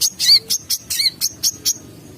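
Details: Kolibri, a sunbird, uttering short bursts of high thin chirps, some with a squeaky up-and-down twist, spaced irregularly and ending in a quiet gap.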